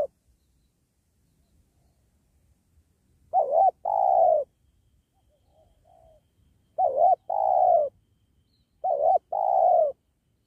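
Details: Wild spotted dove, called tekukur, heard during trapping beside a sacred tree. After a quiet start, three two-part coos arrive, each a brief wavering note and then a drawn-out, softly descending coo; a faint coo between them.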